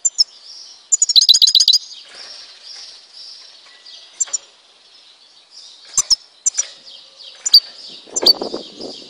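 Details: Algerian goldfinch from Tizi Ouzou giving a high rambling song: a fast burst of rapid repeated ticking notes early on, then a sustained twittering warble broken by sharp metallic clicks and short trills.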